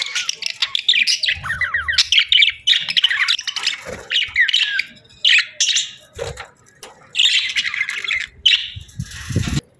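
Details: Budgies chirping and squawking in short, uneven bursts of rising buzzy notes and warbles broken by brief pauses, with a few soft thuds and handling noises.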